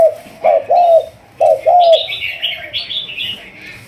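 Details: Decoy-training Malaysian spotted dove, 'thúc gù' coo line: two paired coo phrases, a clipped note then a longer mellow one, followed by a run of bright chirps from another bird.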